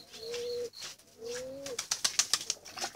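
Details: Pigeon chicks crying for food give two drawn-out, slightly rising whining cries, then a flurry of soft wing-flapping and scratchy rustles.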